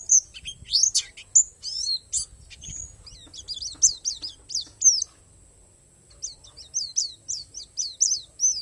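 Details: Singing pleci palas from Borneo, an Oriental white-eye, its song filled with wild-sourced phrases: scattered high chirps and a brief pause, then renewed series of quick, downslurred high notes in short clusters.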